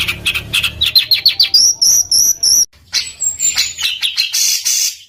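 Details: Coarse rolling songbird song meant to tutor competition birds like murai batu and kacer: quick rising notes, then a row of high, thin whistles, a brief pause, and varied chattering phrases.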